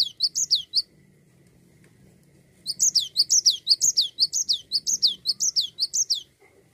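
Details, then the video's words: A Cinereous tit delivers 'gacor ngerol' rolling song meant to set other songbirds singing: a short burst of bright downslurred whistles, a pause of nearly two seconds, then a long steady series of paired high notes. "Gelatik batu GACOR Ngerol"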